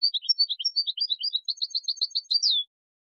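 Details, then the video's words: Continuous European goldfinch song from a recording meant to teach chicks: a lively stream of bright, twittering chirps that builds into a denser run and finishes with a drawn-out descending buzz. "Taghreed goldfinch in a very beautiful voice"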